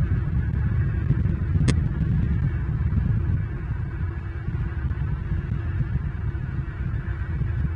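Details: Loud, continuous low rumble like wind buffeting a microphone, with a single sharp click and no animal calls.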